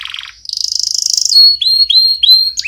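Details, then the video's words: Canary song played as training for chicks: a short buzzy trill, then a rapid high rattling roll, then a series of clear whistled notes swooping downward, repeated about every third of a second. "Canary Singing - Most Spectacular HD Video Training For Chicks"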